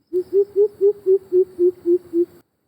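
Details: Greater coucal calling unseen from dense bushes, where it hides: a run of nine deep, hollow hoots, about four per second, steady in pitch and fading slightly toward the end; nothing else is heard.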